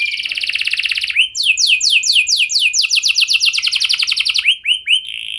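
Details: Canary singing to make other canaries respond: a rolling trill, then a long rapid series of rising slurred whistles, ending with a few separate chirps.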